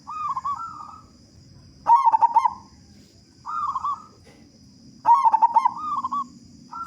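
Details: Zebra dove, local type with a strong voice, played so other doves start singing: loud quick coo bursts about every three seconds, alternating with softer trilled, wavering coos.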